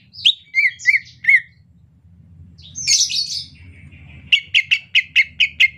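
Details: Soft chattering song of a greater green leafbird in the rainy season. It opens with four bright whistled notes, moves to a brief harsh, scratchy burst, and ends with a fast run of eight sharp repeated chips over faint low background noise.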